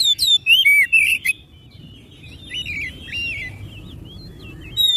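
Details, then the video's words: Oriental magpie-robin song played to prompt other magpie-robins to sing: a loud burst of rapid whistled notes, sharp sweeps and rising slurs in the first second and a half, then softer warbled phrases trailing off in the background. "TERAPI KICAU KACER CEPAT GACOR"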